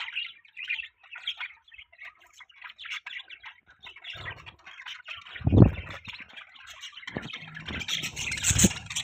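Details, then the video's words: Budgies kept as pets, chattering. Rapid twittering and warbled chirps come in short bursts, and a harsher squawky passage rises near the end. Low bumps and rattles from handling or perches sound in the second half. "Budgie Chirping Sound"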